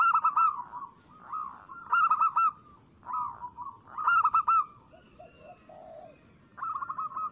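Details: Local zebra dove singing energetically, recorded as a lure to prompt doves to sing: short bursts of quick, clipped cooing notes, with bursts every second or so between quieter murmuring trills and a low gurgle.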